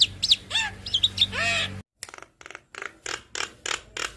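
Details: Javan myna song meant to teach and prompt caged birds: quick bright whistles and downslurred notes, a brief pause, then a run of about eight rhythmic harsh chattering bursts.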